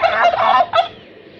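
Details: Turkey gobbling in reply to people shouting the takbeer: a rapid, rattling burst of about two-thirds of a second, then a short second gobble after a brief gap, fading to quiet background.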